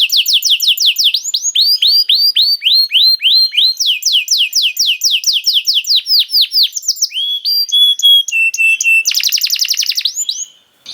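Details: Canary song meant to prompt other canaries to sing: long rolling runs of quick downward-swept notes changing speed and pitch, ending with dense buzzy trills and sharp whistled elements before a sudden stop.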